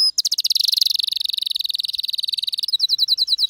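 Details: Male canary singing excitedly: a very fast, dense, buzzing trill held steady for over two seconds, then a short run of rapid clipped chirps.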